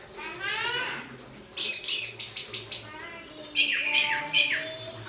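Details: Orange-headed thrush in Malang sings sharp, high whistled and chirped phrases with abrupt pitch jumps, after a brief burst of human talking at the start.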